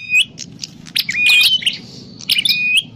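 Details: Calls of a grey prinia played to lure birds for trapping: scattered high chirps, then a sustained strained squeaky phrase with slurred whistles, ending in more sharp chirps; faint low hum underneath.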